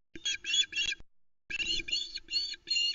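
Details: Female osprey at the Loch Arkaig nest, 1 September 2020, calling as the male brings a live flatfish; harsh, buzzy notes with rich overtones in two bursts separated by a short pause.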